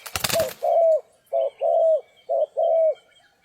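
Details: A sharp clattering burst like flapping wings opens, then a spotted dove coos loudly during trapping in stormy rain: short note followed by a longer even coo, repeated as three pairs.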